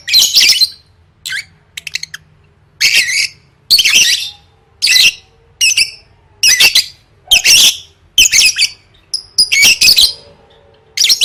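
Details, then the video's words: Lovebird sound meant for training competition singers: a long series of harsh, squeaky bursts repeated about every second, each a dense high screechy chatter, steady and insistent. "Suara Burung Lovebird III Latihan Gacor Gantang Siap Juara"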